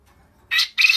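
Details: Japanese quail gives two loud, harsh squawking bursts in quick succession, each about a quarter second long, against a quiet background.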